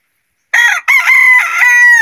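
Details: Chicken crowing during the day: a loud, harsh crow bursts in after half a second, with a short opening note, a brief break, then a long strained sustained note that carries on to the end of the recording.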